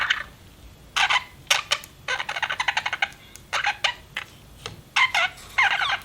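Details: Pet budgie giving clipped, clicky chirps and raspy bursts separated by silent gaps, a quick rattling series in the middle, sharp broadband notes rather than smooth whistles.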